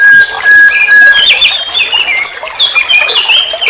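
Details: Nightingale, known locally as sikatan londo, in a training recording meant to teach songbirds: long pure whistles held level, then a burst of sliding, scratchy high phrases with a steady whistled note underneath.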